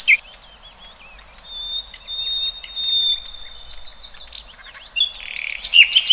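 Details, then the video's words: Several wild birds calling together: thin high drawn-out whistles and small twisting chirps overlapping, with a few louder sharp notes near the end, all fairly soft. "Kicauan Burung Cerminkan Suasana Damai"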